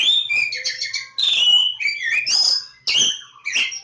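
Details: Oriental magpie-robin, called Kacer Jawa, singing a loud, varied song of high whistled phrases and sharp chirps, some sweeping down, with short pauses between bursts.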